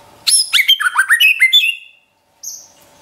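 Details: White-rumped shama, heard in a pet-bird training recording, giving one loud, rapid burst of tumbling whistled and chattering notes for over a second, then silence and a single high thin note.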